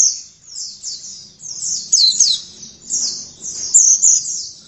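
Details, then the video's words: Oriental white-eye singing persistently (gacor): bursts of high, warbling twitters rise and fall in loudness over a soft low hum. "Pleci langsung gacor dalam 1 menit"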